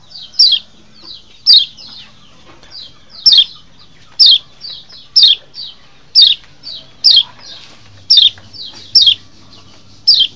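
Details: A wild Lombok white-eye gives high, thin, downslurred chirps in bright bursts about once a second, with softer chirps in between; a call used as a lure for wild white-eyes. No other sounds intrude.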